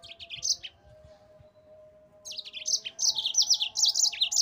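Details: Yellow-fronted canary in a training master for cage birds, gacor ngerol rolling song. A short high twitter opens, then after a pause a dense, unbroken run of rapid bright chirps and trills, with a steady tone behind.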